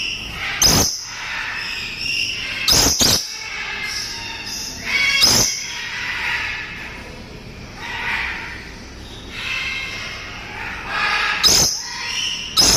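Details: Dusky lory in a breeding setting giving harsh, sharp screeches at irregular intervals, with softer chattering and squawking between them in a reverberant indoor space.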